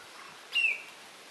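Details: A golden-winged cacique in Atlantic Forest at RPPN Corredeiras do Rio Itajaí, Itaiópolis, Santa Catarina, Brazil, gives one clear, high whistled note slurring slightly downward, about a quarter second, over soft hiss.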